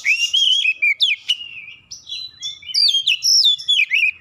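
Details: Provoked oriental magpie-robin challenging an opponent, pouring out its learned song material: rapid chains of bright whistles, steep slurred sweeps and short clicking notes, delivered almost without pause.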